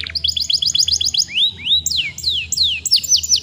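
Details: Young canary singing to prompt other young canaries into song: quick paired trill notes, then long slurred whistles rising and falling, and fast downward-swept notes at the end.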